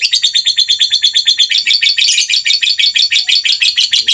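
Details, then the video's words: Rough, rasping white-rumped shama phrase of rapidly pulsed buzzy notes repeated steadily, around three a second, loud and continuous. "MASTERAN MURAI BATU FULL ISIAN TEMBAKAN KASAR"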